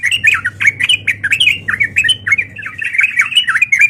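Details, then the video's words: Sooty-headed bulbul giving a fighting call meant to provoke rival birds: rapid, continuous bubbling chatter of short downslurred and upslurred notes, loud and unbroken for nearly four seconds, with a faint low hum beneath. "Suara Trucukan Gacor Tarung Auto Nyaut Emosi Dengar Burung Trucuk Lain"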